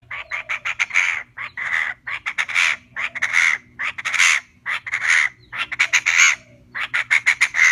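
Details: Female Chinese francolin calling, used as a trapping lure: rough, harsh notes in rapid bursts, repeated in phrases with short gaps, faint low hum beneath.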